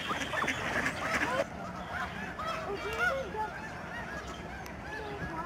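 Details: Snow geese swirl down from the sky in huge flocks at Alaksen National Wildlife Area, Delta, BC, Canada, 24 March 2011. A loud rush fades after a second, leaving many distinct bent, nasal honks overlapping.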